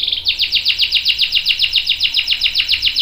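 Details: Canary rolling song, used as a lure and tutor for other canaries: one steady run of sharp downslurred notes, about six per second, evenly spaced and unbroken.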